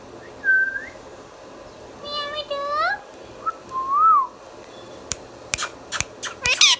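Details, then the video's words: Indian ringneck parrot kept as a pet giving a rising whistle, a harmonic speech-like phrase sliding upward, a short arched whistle, then a burst of sharp clicks and a harsh screech. "Mithu Mithu Bolne Wala Tota | Indian Ringneck Parrot natural Sounds"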